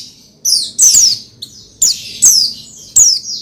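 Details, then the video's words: Song of an Oriental white-eye (pleci), meant to prompt another pleci to sing: high, piercing chirps sweeping downward, grouped in quick pairs with short pauses. "Menaikan Emosi Burung Pleci Bahan Agar Pleci Gacor Cepat Bunyi Rajin Gacor"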